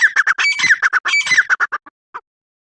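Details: Grey francolin, locally called teetar, giving a loud harsh rhythmic call: a rapid series of strident squawking notes around the mid-high range, slowing and fading to a few spaced notes at the end.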